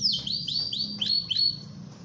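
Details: Canary in ngerol song, kept as a tutor recording for other canaries: high whistled notes, each dropping sharply in pitch, repeated about four times a second, clear against a quiet low hum.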